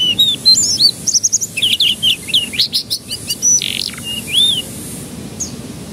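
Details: Canary song used as a lure to make young canaries start singing quickly: fast varied whistled phrases, sweeping and rising notes with short trilled bursts, steady faint background hiss.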